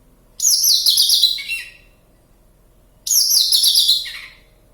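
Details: In the wild near Kediri, Java, a Javan bush lark sings vigorously: two matching phrases of fast, high, buzzy twitters, each about a second and a half, ending on lower notes, separated by a brief silence.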